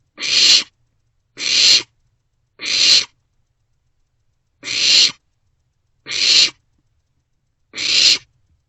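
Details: Barn owlets at an owl box around 2 am on 27 March 2024, sharing food; six short hoarse hisses, three in quick succession, a pause, then three more, clean background.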